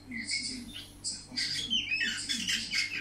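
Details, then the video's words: Indoor pet budgerigar singing a rapid, rambling warble of chirps, buzzy chatter and short whistles packed closely together, a faint electrical hum in the background. "Kiwi singing"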